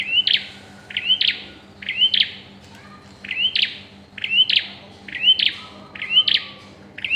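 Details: Bar-winged prinia during pairing, repeating a bright two-part phrase about nine times in seven seconds: an upslurred whistle, then a burst of hard clicks, spaced fairly evenly; soft background hum throughout.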